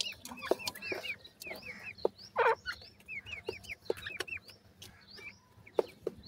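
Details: Feeding grey francolin chicks give thin, hooked whistles in dense bursts, several peeps per second, over a background of sharp taps and clatter.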